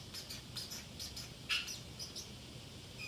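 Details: Pacific parrotlet kept as a pet, alone at home and chattering to itself: a quick string of short high chirps and tweets, one louder chirp midway, over low room hum.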